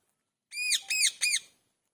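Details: Parrot giving natural calls: three loud, harsh, arching squawks in quick succession, each rich in bright overtones, with near silence around them.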